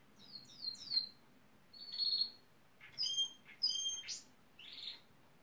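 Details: Gloster canary trying to woo building site workers by mimicking machines; descending high whistled slurs, a sustained buzzy note, then clipped repeated high notes and a short rasp.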